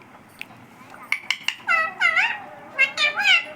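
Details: Tame parrot (tota) calling "Mummy" indoors: a few sharp clicks, then three strong harmonic voice-like syllables with bending pitch, arranged in two quick groups.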